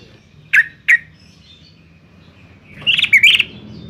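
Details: Yellow-vented bulbul from Semarang, Central Java, recorded as a lure to provoke other bulbuls to sing: two quick bright notes, then a bubbly, gurgling phrase of rapid, fairly high warbled notes over a quiet low hum.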